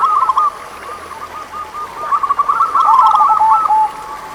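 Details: Local Indonesian zebra dove singing, played to coax lazy doves into song; a brief cooing burst, a pause, then a longer rapid sequence of soft rolling coos, with a thin constant high tone in the background.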